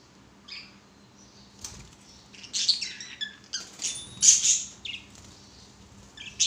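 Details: Budgerigars swinging and playing as pets: sparse high chirps build into a busy run of squeaky, warbling chatter with sharp clicks.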